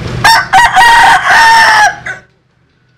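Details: Rooster, Vietnamese or American Sil chicken, gives one crow opening with two clipped stuttering notes and then a sustained, strained harmonic call of about a second before it fades to silence.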